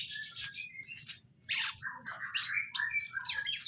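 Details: Caged male and female greater green leafbirds being paired; fast continuous chattering song of whistled slurs and harsh bursts, getting louder after a brief pause, over a low hum.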